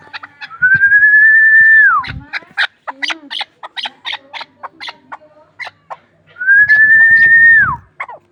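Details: Chukar partridge, a hunting bird from Ishkoshim, utters a burst of quick clucking chuk notes between two long, loud, steady whistles that each drop sharply at the end.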